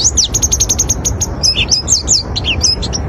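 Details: Oriental white-eye song meant to draw other white-eyes: a fast run of evenly spaced high tinkling notes, then slurred descending twitters and chirps, all shrill and busy over a low hum.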